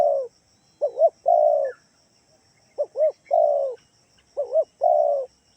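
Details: Spotted dove lure call from Kalimantan for getting other doves to answer: three phrases, each a double arched coo followed by a drawn-out falling coo, about every 1.8 seconds, faint chirp between.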